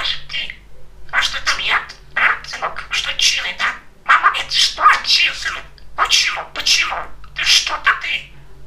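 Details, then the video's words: A chatty, talkative male budgerigar talks in quick, scratchy, speech-like bursts of chatter, about a dozen phrases with short pauses, over a faint steady electrical hum. "Попугай Кеша разговаривает"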